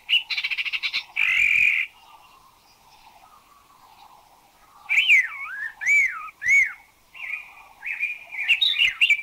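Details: Spot-throated Babbler in Thailand, a bird with a wide repertoire rather than a sweet voice: a fast rattle and a harsh burst, a pause, then three looping, wavering whistles followed by scratchy varied notes.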